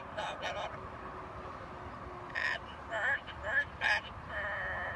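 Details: A pet macaw imitates the tune "For He's a Jolly Good Fellow" in hoarse, speech-like syllables: a quick pair opens, then rising and falling warbled notes over a steady background hum, on a sunny day.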